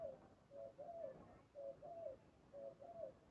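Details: Spotted dove at a decoy trap, cooing in quick succession: three mellow phrases, each a short hoot followed by a longer slurred, falling coo, in a quiet setting.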